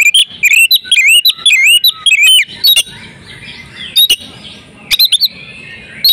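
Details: Breeding-condition female oriental magpie-robin calling to make males sing: a fast run of looping whistled notes for over two seconds, then sparse sharp chips over soft background noise.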